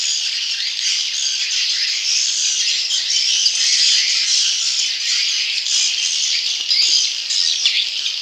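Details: Swiftlet chicks chattering in a recording for attracting wild swiftlets: an unbroken wash of high, hissy, buzzing chirps with slight swells in volume.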